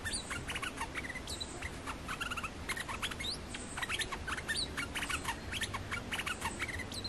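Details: Olive-winged bulbul calling as a trapping lure. Continuous lively stream of clipped, bright chirps and short rising whistles in quick clusters, backed by a low droning rumble.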